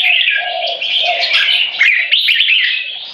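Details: Competition Red-whiskered Bulbuls aged 3.5 and 7 years sing butir against each other: an unbroken stream of bright whistled warbling with a softer low tone in the first half.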